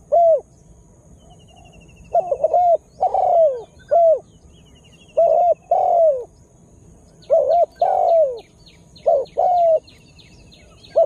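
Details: Spotted dove calling to attract wild birds; repeated cooing phrases of short notes followed by drawn-out falling coos, with a high rapid chirping bird audible in the background.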